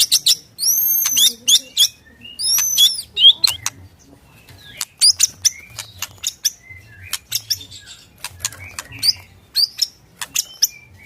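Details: White-rumped shama singing in captivity: a few loud arched whistles at the start, then many short sharp chips and clicks scattered through the rest.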